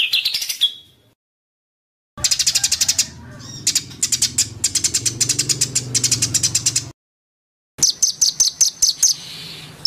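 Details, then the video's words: White-rumped shama, an actively singing and agitated bird used as a training recording: bursts of dense high rattling trills broken by silences, with a low background hum during the middle passage. "MASTERAN MURAI BATU GACOR ! LANGSUNG NYEMPLONG & EMOSI !!!"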